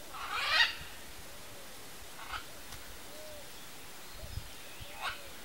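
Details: Red-and-green macaw pair eating macaúba palm fruit in the wild; one loud, grating squawk at the start, followed by two softer, brief harsh calls spaced a few seconds apart over low background rustle.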